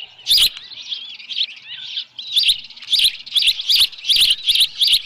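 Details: Osprey calling at a Dunrovin Ranch nest with a headless fish, 10 June 2018, 6:41 PM: high piercing chirps, loose at first, then a steady string of evenly spaced notes about five per second.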